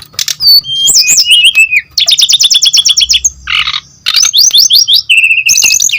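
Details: Brown-chested jungle flycatcher singing vigorously, used as a lure to draw other birds into song: varied bursts of rapid high buzzy trills, sweeping whistles and a lower descending rattle, with brief pauses between phrases.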